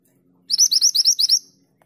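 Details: A female pied bushchat calling to a male gives a quick one-second run of about eight high, thin, slightly rising chirps against a quiet background with a faint low hum.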